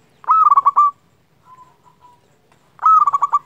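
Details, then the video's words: Vigorously singing local zebra dove, used as a lure to prompt other doves to sing: two loud bursts of rapid, ringing coo notes separated by a softer, quieter trill in between. "Perkutut lokal gacor - Paling Ampuh Untuk Merangsang Bunyi"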